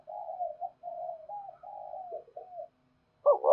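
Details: Spotted dove cooing to lure wild doves: a string of soft, low cooing notes in steady sequence, ending with a louder, fuller coo burst near the close.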